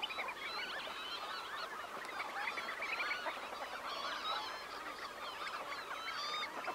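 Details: Close recording of a huge flock of red knots, about 20,000 birds, taking off from a high tide roost; many short rising and falling calls overlap into a constant chattering mass.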